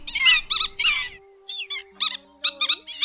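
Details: Black-winged stilt lure recording, which includes chick calls, used for night net-trapping of migrating birds in August 2024 in Vietnam: sharp, nasal yelping notes in quick irregular bursts, about two per second, over a faint electronic hum.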